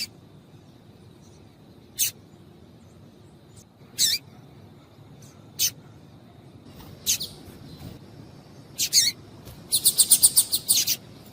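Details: A female Double-collared seedeater gives sharp, high chips every couple of seconds, then a quick run of chips near the end, calls used to excite a male into singing. The background is quiet.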